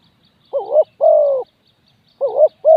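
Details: Spotted dove kept as a decoy to lure wild doves gives a two-part coo: a short wavering note, then a longer smooth rolling coo, repeated after a pause of about a second and a half, against a quiet background.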